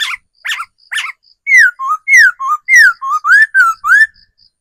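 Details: Decoy laughingthrush in forest singing loud whistled phrases: three harmonic-rich notes, then a fast run of eight clear slurred whistles, alternately falling and rising, with faint high ticking pips in the background.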